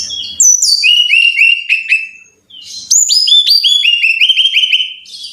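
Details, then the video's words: Brown-chested jungle flycatcher song as a lure to get caged birds singing: several loud, liquid downslurred whistles, a brief gap, then a longer rapid volley of ringing notes descending in pitch. "Pancingan Masteran Suara Burung (SIKATAN RIMBA DADA COKLAT)"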